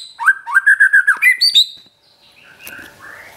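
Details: White-rumped shama song for training a pet shama: a steady run of about eight matching whistled notes, then two higher whistles, followed by quieter, softer phrases.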